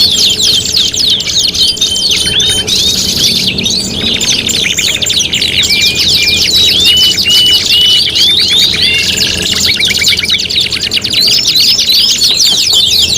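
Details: Five-in-one canary tutoring song for competition birds: fast high trills alternating with series of short, level whistles and buzzy repeated notes, several voices overlapping, over soft background hum.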